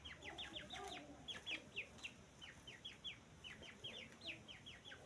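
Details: Grey francolin chicks (teetar young) peeping continuously: bright falling whistle notes in rapid uneven sequences over a low, steady background hiss.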